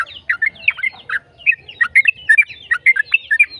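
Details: Yellow-vented bulbul delivering its rapid, lengthy 'ropel' song, meant to stir other bulbuls into song: tumbling, gurgling notes with short whistles, quick and unbroken throughout.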